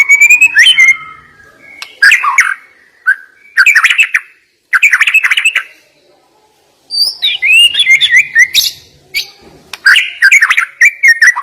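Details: White-rumped shama giving sharp 'nembak' fill song in phrases: short loud bursts of high whistles and chatter with brief silences between them, ending in a long, varied run of rising whistled notes.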